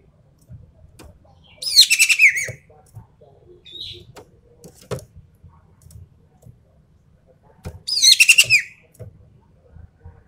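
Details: Javan pied starling (ekek keling) in full tembakan song: two loud bursts of rapid harsh chatter with squealing whistles, about six seconds apart, a brief soft whistle between, plus light tapping sounds.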